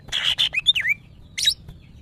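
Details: Caged female greater green leafbird in breeding condition calling males: two harsh buzzy bursts, then slurred whistles dipping and rising, a pause, and a final squeaky note, over faint low hum.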